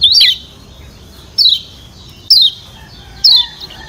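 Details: Lombok white-eye, called kecial kuning, uttering 'ciak' lure calls to get other birds singing: four separate sharp, downward-slurred chirps roughly a second apart against quiet background.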